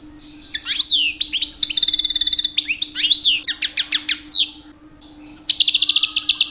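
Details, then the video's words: European goldfinch, two-year-old male singing constantly during the mating season to attract females; varied phrases of swooping notes, rapid buzzy trills and chattering twitters, a pause near five seconds, low hum underneath. "My 2 years old Goldfinch song"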